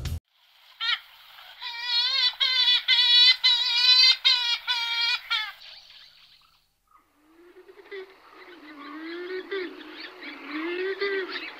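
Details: Purple swamphens from several pairs give loud, nasal, harmonic-rich squawks in a rapid run of about ten notes, then lower, rougher grunting and wailing calls.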